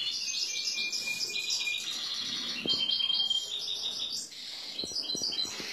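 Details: Excited male European goldfinch, ready to pair with a female canary, singing a fast, continuous high twittering song of buzzy trills and clear whistled notes, dense phrases changing every second or so, with a few soft clicks in the background.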